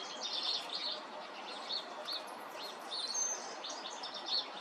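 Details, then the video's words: Melodious robin song of quick, high, twittering phrases, sweet whistles mixed with short trills, delivered in clusters against a constant hissing backdrop. "Robin tells melodious tale"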